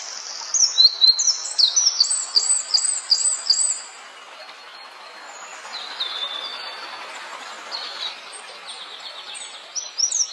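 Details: Flowerpecker song opening with a burst of shrill, rapidly repeated high ticking notes for four seconds, followed by quieter scattered high chirps and a faint hiss, with a brief loud flurry at the end.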